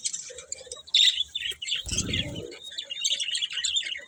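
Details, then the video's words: Pet budgerigars chatter in a busy stream of high, scratchy chirps and short whistled notes, broken around two seconds by a low thump like wing flutter. "Cute Budgies Chirping Sounds"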